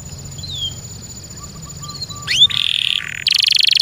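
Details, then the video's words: Kept canary: soft faint whistles at first, then a sharp upward sweep leading into loud buzzy rattling trills. "THE SOUND OF THE CANARY BIRDS"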